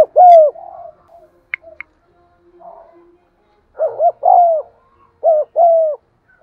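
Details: Spotted dove cooing with urging calls, used to lure birds; a loud paired coo opens, followed by soft faint murmurs, then three more strong paired coos close together near the end.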